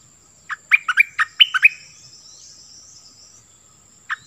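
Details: Decoy Cream-vented Bulbul in spirited song, giving a brief chortling phrase of six or seven quick, bubbling notes that drop and lift, followed by near silence and one faint note at the end.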